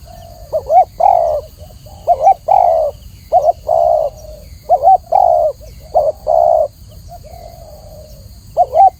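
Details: Spotted dove cooing in a clear sequence: paired wavering notes then a sustained soft coo, about six phrases over nine seconds, with a quieter trailing coo near the end and faint background hiss.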